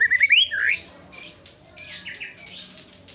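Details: White-rumped shama giving a short burst of song: a rising whistled phrase followed by harsh, buzzy chattering notes and scratchy bursts, with a faint low hum in the background.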